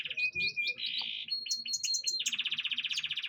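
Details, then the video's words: Canary singing during dewing. It sings bright chirped notes, then a steady buzzy roll, a high whistled tone with clipped notes over it, and finally a fast pulsing trill. "pengembunan burung kenari v konin"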